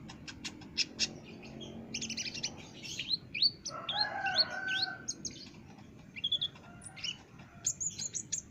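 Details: Energetic Olive-backed sunbird singing for training caged birds: fast high ticks and chirps, then slurred upward and downward tweets. A lower, mellow overlapping note sounds in the middle and scattered sharp notes close the passage.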